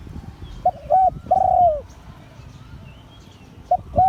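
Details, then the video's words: Liu Tan style crowing by a spotted dove of auspicious line: a quick double coo leads into a long drawn-out falling coo, then quiet before two short notes begin again, with faint distant bird chirps. "เสียงขันนกเขาใหญ่ # หลิ่วตัน # นกเขาใหญ่สายมงคล"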